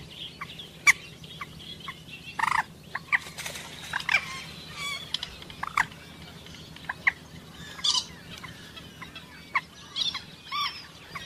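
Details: Common moorhen calling, offered as a hunting call: a busy run of sharp, clipped croaks and kek-like notes, some in quick pairs, scattered irregularly across the stretch. A few harsher, longer bursts stand out above a faint low background hum.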